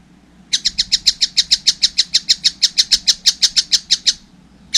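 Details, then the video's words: After half a second of quiet, a young collared kingfisher launches a rapid, even series of grating high kek notes lasting about three and a half seconds. "wow masih kecil udah gacor , anakan burung tengkek buto"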